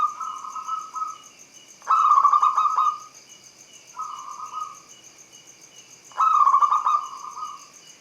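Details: Local Javanese zebra doves singing a trigger song for silent perkutut: smooth, level cooing phrases alternating with louder, rougher rolling phrases, each about a second long, over a steady high hiss.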